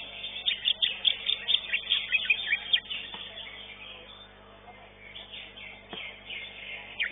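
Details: Greater green leafbird singing at a songbird competition where it placed third: quick bursts of high chirped and trilled notes for about three seconds, then fading, with murmuring voices and crowd noise in the background.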